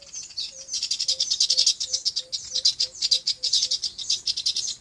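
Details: A chorus of birds on a farm in their natural habitat chirps in rapid, high bursts, while a soft, low, short note repeats steadily about three times a second beneath it.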